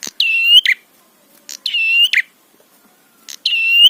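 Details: Prinia lure song used to trigger other prinias: three repeated phrases of a short rasp, a long ringing whistle climbing gently, and a harsh closing buzz, each about 1.5 seconds apart.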